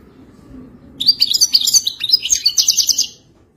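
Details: Moroccan European goldfinch sings a fast, bright run of tinkling twitters and liquid trills, high-pitched and rapidly varied, over a faint low hum.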